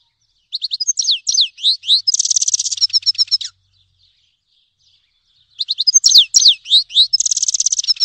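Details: Twittering song of a Grey-headed goldfinch (Carduelis caniceps): long phrases of varied high slurred notes mixed with a dense, buzzy trill, given twice with a silent gap between.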